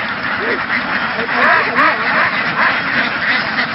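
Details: A flock of Vietnamese laying ducks, driven through the fields and boarded onto a migration boat, fills the air with loud, dense, chattering quacks. Two brief sharp clicks are heard partway through.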